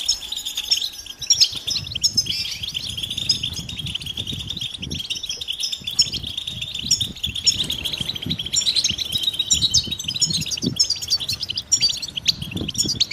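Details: European goldfinches in a group chirping session of mating calls intended to excite males to sing; constant high twittering and trills over a low rumbling background noise throughout.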